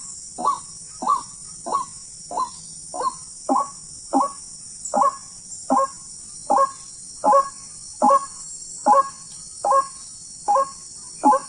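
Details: Hunted wild white-breasted waterhen: a long chain of about sixteen gruff, clipped croaks at an even pace, slightly uneven in strength, against a continuous high-pitched hiss.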